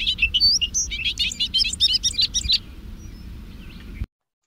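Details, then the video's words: A Bobolink sings its metallic, bubbly, rambling song, compared to R2-D2: about two and a half seconds of rapid, jumbled high notes that rise and fall, then stops. "So it's a metallic, bubbly, rambling song."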